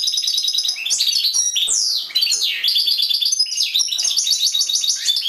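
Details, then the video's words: European goldfinch singing in a cage, a fast unbroken stream of bright twittering notes mixed with sharp rising and falling swoops and buzzy trills throughout. "European Goldfinch Singing in Cage"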